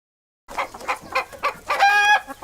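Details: Domestic chicken clucking in a short series of rhythmic low clucks, ending in a louder drawn-out, harmonic-rich squawk, with a final brief cluck.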